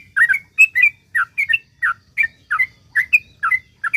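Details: Yellow-vented bulbul in energetic long rapid-fire song, meant as a lure to make other bulbuls sing; short bubbly two-part whistled notes, about two to three per second, steady throughout with a faint low hum beneath.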